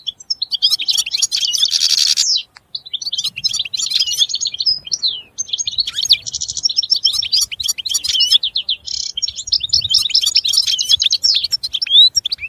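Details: Extended European goldfinch song: continuous, fast twittering and tinkling trills interspersed with harsh buzzy bursts, delivered in long high-pitched phrases with brief pauses.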